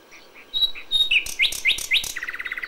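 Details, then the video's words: Common nightingale singing at dawn in May: two pure whistles, then four loud notes swooping upward, and finally a rapid, rattling series of short pulses. "A FÜLEMÜLE ÉNEKE."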